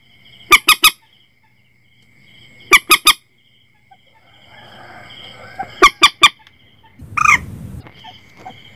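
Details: Harsh, clipped squawks of a Common Moorhen, meant for setting nets after dark, delivered in three-note bursts roughly every two and a half to three seconds, with a brief noisy scuffle near the end and a thin background hum.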